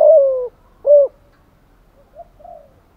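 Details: Spotted dove lure call: one long coo sinking in pitch, followed by a short rounded coo. Softer faint notes trail off afterward.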